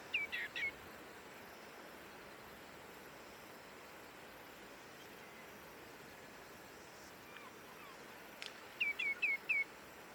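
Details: Common greenshank in early October 2024, which called at length while foraging and preening before flying off. It gives clear, slightly mournful whistled notes in rapid runs: three at the start, then four near the end, over steady background hiss.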